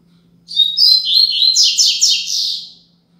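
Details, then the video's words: Double-collared seedeater singing a Braddock-style tutor song for young birds: clear high whistles run into a quick buzzy descending trill of about four notes, over a faint steady low hum. "Tui Tui Zel Zel Top - Coleiro Braddock 10 Minutos HD - Coleiro Professor Aprendizado"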